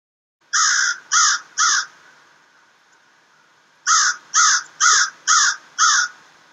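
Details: An American crow, one of three that regularly visit a forest, gives harsh, hoarse caws: three quick ones, then a pause, then five more at an even, steady pace. Nothing else is heard.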